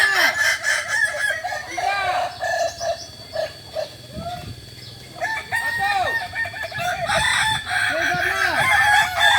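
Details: Crowing practice for Kokok Balenggek roosters in Ampang Kualo, Solok, West Sumatra. Many drawn-out crows broken into repeated steps overlap continuously, with low clucks and faint background voices.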